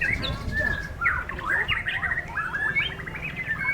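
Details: White-rumped shama in a contest under strong wind keeps singing: rapid warbled whistles and chattering slurred notes run on without a break, backed by a constant low wind rumble.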